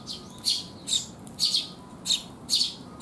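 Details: Sparrows coming to be fed on a rainy day, 19 June 2021, at a rest spot: harsh high chirps repeated about every half second, five bursts, over a faint low hum.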